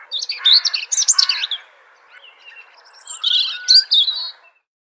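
Robin song in two short bursts of high, thin, tumbling warbles, quick and varied in pitch, separated by a brief pause; no other sounds.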